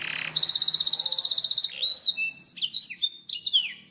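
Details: Caged black-throated canary song: a brief lower note, then a long rapid high trill of evenly repeated notes lasting over a second, followed by varied whistled upslurs and downslurs.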